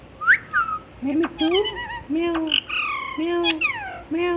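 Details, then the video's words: Pet parrot talking in a cute voice. It gives a quick, rising-falling whistled note, then a run of nasal, harmonic, speech-like syllables, some rising and some arched, almost without a break over several seconds. "Talking Parrot Mitthu Mitthu"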